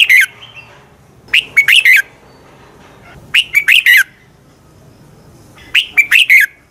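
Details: Fighting song of a red-whiskered bulbul, offered as a training lure: harsh, emphatic whistled bursts of three or four notes, delivered about every two seconds with a faint low hum behind.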